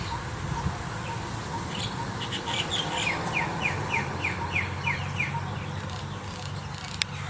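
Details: White-vented mynas giving a rapid series of short, downward-slurred chattering notes, about a dozen in quick succession, over a steady low background hum.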